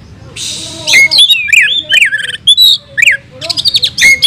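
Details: Short burst of kacer fighting song from an oriental magpie-robin: separate sharp, looping whistles and quick chirp clusters with small gaps between them, after a brief hiss at the start.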